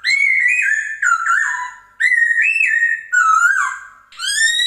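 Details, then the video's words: Laughingthrush (poksay Hongkong) song used as a training and lure recording for caged birds: rich, loud whistled phrases sliding up and down, with long fluting notes in bursts about a second long separated by brief pauses. "MASTERAN & PANCINGAN BURUNG POKSAY HONGKONG GACOR"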